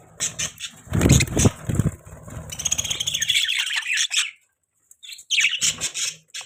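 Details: Budgerigar chirps and chatter: a low rumbling thud at first, then a long stretch of rapid, grating twitters, a brief silence, and a final burst of sharp chirps.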